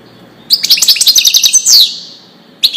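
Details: European goldfinch, Widani song style used for tutoring chicks: a quick run of bright, tinkling notes that ends in a drawn-out buzzy descending slur, then a brief new twitter begins.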